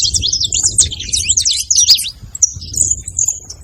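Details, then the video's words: A saffron finch flock twitters busily with sharp overlapping chirps at first, then thins to a few longer, thin whistled notes, over a low background hum. "canário da terra fazendo barulho em rebanho"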